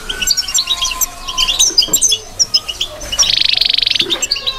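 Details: A European goldfinch sings: a quick, high tinkling twitter of scattered chirps, then a fast buzzy trill about one second long.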